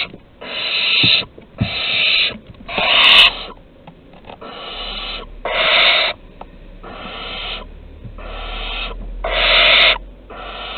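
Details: Harsh, noisy screeches from barn owls at Théding, France, 23 August 2020, as an adult offers prey to a young bird; about nine breathy bursts, each under a second, spaced roughly a second apart, with a faint low hum.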